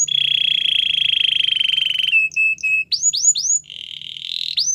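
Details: Canary training song for a Belgian canary: a long even rolling trill, a few short level whistles, then rising looped whistles and another roll.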